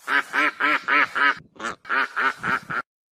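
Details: Rapid goose honking: a fast, even train of short, harsh nasal honks, about four per second, with a brief break midway before the series resumes.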